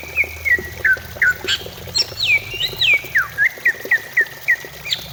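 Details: Song of a greater green leafbird, used to stimulate singing and as anti-stress therapy: short falling whistled slurs, then looping upward and downward sweeps, closing with a rapid run of clipped notes at roughly four per second.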